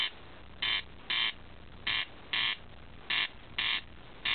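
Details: Corncrake on a summer night, 26 June, at Alastaipale, Ähtäri, Finland, giving its dry, rasping double crake, crex-crex, each pair about half a second apart and repeated every second or so over a faint hiss.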